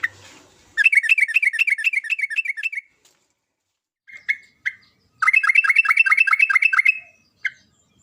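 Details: Sooty-headed bulbul in full vigorous song, used to coax other bulbuls into singing. Two long runs of quick, rhythmic, chattering notes are separated by a few short bright calls, and the background is quiet.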